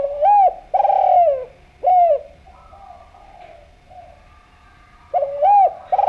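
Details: Lure recording of an active Javan spotted dove cooing: a short arched note, a long vibrating coo sliding downward, another arched note, then a pause before the phrase starts again near the end.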